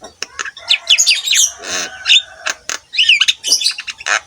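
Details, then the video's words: Javan myna song used as a training recording for other mynas: varied chirps, sliding whistles and scratchy buzzes in quick, uneven succession, with one lower rasping burst in the middle. "KICAUAN BURUNG JALAK KEBO GACOR"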